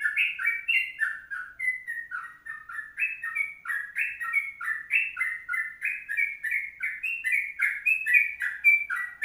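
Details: A Sooty-headed bulbul delivers loud, clear 'ropelan panjang' song in the 'kongslet' style. Chains of short fluty whistles rise and dip without pause against a quiet background.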